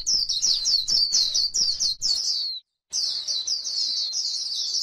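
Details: High-pitched white-eye warble in the 'líu' style, recorded on grassland: fast, scratchy chittering notes run together for two seconds, a brief pause, then another long unbroken stream.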